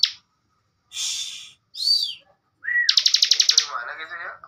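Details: Bar-winged prinia master recording for cage bird training: scattered short buzzy notes and a downward-curving whistle, then a rising slur into a fast buzzy trill with lower chattering notes underneath.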